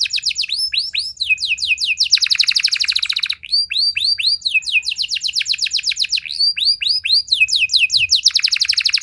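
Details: Canary lure song to prompt other canaries into full, long singing. It alternates clusters of sharp rising whistled notes with dense, fast buzzy rolls, repeated three times over nine seconds with no other sounds.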